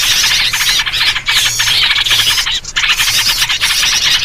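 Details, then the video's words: Noisy yellow-vented bulbul chatter from a lure recording for trapping birds: rapid harsh squawking bursts in dense overlapping runs, with a brief break near the middle before the chattering resumes. "SUARA BURUNG RIBUT COCOK BUAT PIKAT || VERSI SUARA TRUCUK"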